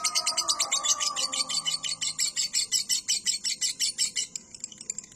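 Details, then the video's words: Lovebird ngekek, a long trilling song recorded to train caged birds. Shrill notes are repeated at a fast, even pace, roughly three per second, forming a sustained chattering trill that fades near the end. "LOVEBIRD NGEKEK PANJANG"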